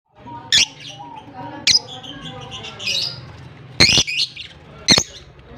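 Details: Pet blue personata and albino lovebirds recorded on October 25, 2023, give four or five loud, shrill chirps about a second apart, with softer chattering notes between them over a low background hum.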